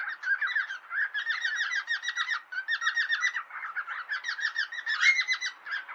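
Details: Pet cockatiels in a friendly fight, chattering in their own language: busy, scratchy warbled chatter with quick rising and falling notes in short bursts, fairly quiet and continuous.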